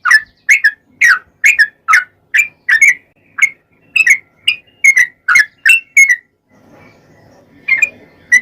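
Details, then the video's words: Yellow-vented bulbul in long rapid-fire 'ropel panjang' song, used as a lure to make other bulbuls sing: quick series of short bubbly notes, each dropping in pitch, about two per second, then a brief pause before two more notes. "trucukan gacor ROPEL PANJANG buat pancingan trucukan agar bunyi"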